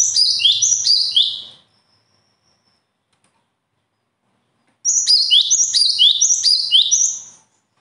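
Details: Two loud bursts of high birdsong separated by about three seconds of silence. Each burst is a rapid chain of repeated piercing, down-swooping phrases, about three per second, lasting one and a half to two and a half seconds.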